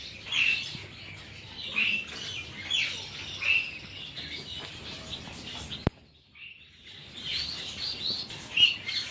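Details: Silver zebra finches calling in a group: quiet high nasal chirps and brief tweets in an irregular series, a sharp click midway, then a short pause before the chirping resumes.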